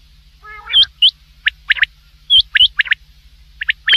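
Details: Common quail heard at night: a brief low nasal phrase, then clipped upswept notes given singly and in pairs or threes, loud and clear against a quiet background.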